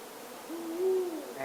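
An Indian Eagle-Owl gives a single deep, mellow hoot that swells and fades over about half a second, over a faint background hiss.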